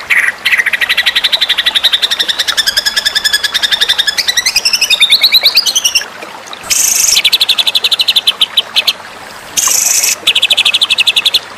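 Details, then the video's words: White-rumped shama tutor song for contest birds: long runs of fast, dry repeated pulses, a stretch of wavering, sliding whistles near the middle, then harsh buzzy bursts alternating with pulsed rattles after a short gap. "rangkaian masteran murai batu"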